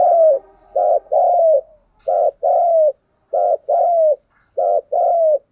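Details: A spotted dove used as a decoy bird coos intensely and vigorously in the insistent 'thúc gù' style. Low, hollow phrases repeat: a short coo followed by a longer one with a falling tail, about every 1.2 seconds.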